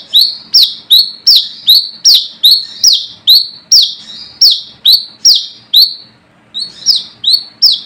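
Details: Brown-throated sunbird giving a rival-challenging lure call: rapid run of bright descending notes with short flat tails, about two per second, one brief gap near the end before the series resumes.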